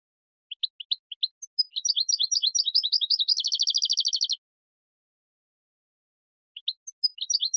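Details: European goldfinch singing, recorded to teach young goldfinches their song: a few spaced high chips build into a rapid liquid twittering run ending in a fast even trill, then a pause before the twitter resumes. No other sounds.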